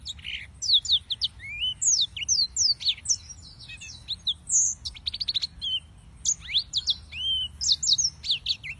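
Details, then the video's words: Yellow-fronted canary (Serinus mozambicus) singing: a rapid, varied stream of high whistled notes, slurred upsweeps and downsweeps and short trills, delivered in dense bursts with brief pauses, no other sounds clearly heard. "Suara Burung - (Serinus Mozambicus) White-tipped Green Singers Singing"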